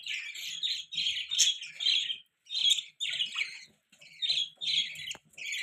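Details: Several pet budgies give chirpy warbling phrases in short bursts with brief gaps between them, and a sharp click near the end.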